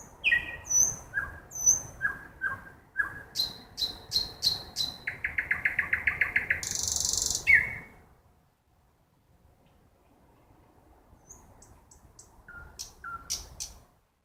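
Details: A nightingale sings in a forest at night. A varied phrase of spaced chirps gives way to a fast, even rattle of repeated notes and a harsh high burst, then quieter scattered notes after a pause.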